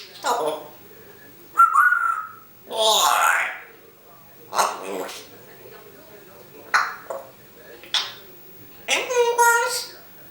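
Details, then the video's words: A female talking African grey parrot, filmed secretly indoors, speaks short, voice-like phrases such as "hello" and gives a clear whistled note, about seven bursts in ten seconds, in a quiet room. "Talking African Grey Parrot"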